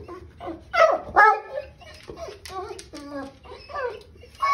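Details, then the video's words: Moluccan cockatoo at home mocking the family mastiff, giving loud harsh bark-like squawks with stacked harmonics in short bursts, some rising then falling, while people talk and laugh nearby. "Moluccan Cockatoo mocks family Mastiff"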